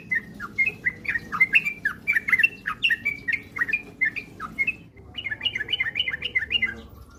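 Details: Sooty-headed bulbul song played as a lure so other birds will sing eagerly in the rapid 'ropel' style; quick runs of liquid, bouncing whistled notes, a short pause, then a faster, higher burst of chattering phrases.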